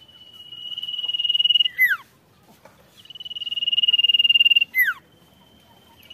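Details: A golden-bellied gerygone sings vigorously to rile rival birds: steady high trills lasting about two seconds that build in volume, each finished with a tumbling downward whistle, given twice.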